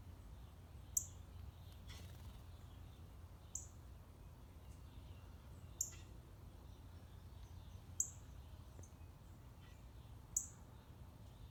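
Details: A Northern Cardinal in a backyard with seed put out, early in the morning, gives single sharp, high, metallic chips, one every two seconds or so, over a steady low rumble of background noise.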